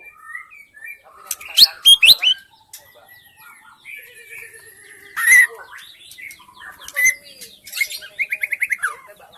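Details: White-rumped shama from the wild forest, used as a lure to attract wild shamas: varied whistled phrases, sharp downslurred notes and a fast rattled trill near the end, with gaps between bursts.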